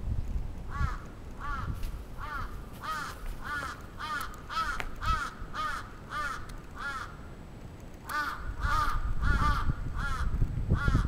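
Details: Crow attack on 27 June 2017 in Atsubetsu Ward, Sapporo, Japan. A long run of about eighteen hoarse caws, roughly two per second, breaks briefly and resumes amid rising low rumble.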